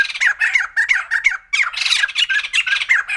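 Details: White-crested laughingthrush cackling steadily: harsh, laughing syllables pour out in quick groups, with only a brief pause midway.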